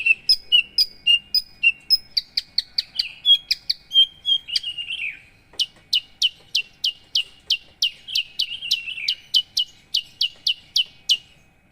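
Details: Javan bush lark of the 'paksi aji' line sings a run of sharp high chirps, slides into a warbled descending passage, then resumes steady crisp ticking notes about twice a second.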